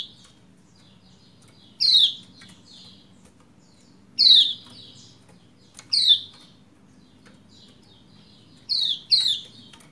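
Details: Female Lombok white-eye uttering 'ciak' calls to stimulate a male's song: about six crisp, falling chirps at uneven intervals, with a doubled pair near the end and low hum behind.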